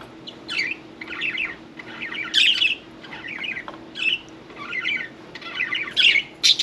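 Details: Happy pet budgerigars, a parakeet taking a bath: steady warbling chatter of short scratchy chirps and trills, with brighter squeaky peaks every second or so, indoors.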